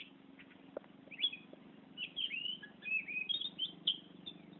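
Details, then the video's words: Oriental magpie-robin singing in the ngerol style, a lively continuous song; clear whistled, sliding phrases and chirps start after a quiet opening second, over a steady low mechanical hum. "Burung Kacer Ngerol Gacor"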